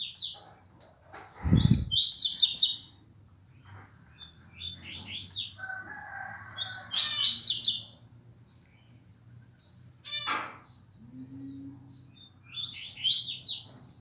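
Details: Coleiro, or double-collared seedeater, giving the fast tuituí song: repeated high, rapid chirping bursts every few seconds, with a loud low thump early on, a brief descending sweep and a faint constant high tone in the background.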